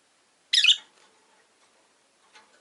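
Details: A caged rosy-faced lovebird, one of five kept by a window, gives one rough, shrill chirp, then only faint scattered rustles and a weak later chirp.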